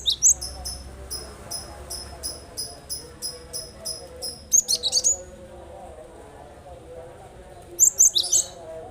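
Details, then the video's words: Cinereous tit (gelatik batu), a lure for birds that will not sing: a steady run of about a dozen sharp, high ticking notes, a louder twittering flourish, a pause, then another chirpy burst, over low humming. "Burung yang malas bunyi dengarkan ini insyaallah langsung ikut bunyi"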